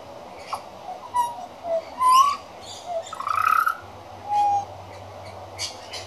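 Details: A young pied butcherbird, a regular visitor, practises its song: a string of separate fluty whistles, some rising and some level or wavering, spaced unevenly over a steady background hiss and low hum.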